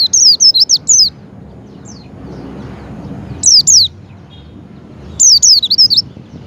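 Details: Lure sound of a Javan white-eye, played so a pet white-eye opens its beak and sings: bursts of rapid, shrill, zigzag chirps separated by pauses of about two seconds, with faint background hiss.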